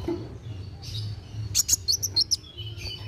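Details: Kolibri wulung sunbird singing actively (gacor), used to stimulate young birds to sing; a short run of about six thin, very high ticking chirps after a quiet start, over a steady low hum.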